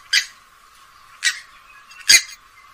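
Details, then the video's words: Purple swamphen (grey-headed swamphen) giving three harsh, raspy squawks spaced about a second apart, the last loudest and longest; nothing else is heard. "কালিম পাখির নতুন ডাক | Kalim Pakhir Dak | Purple Swamphen Bird Call | Swamphen Sound"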